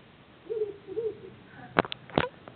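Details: Owl singing in a garden: two short, low, slightly wavering hoots about half a second apart, followed by loud sharp knocks and clicks close by.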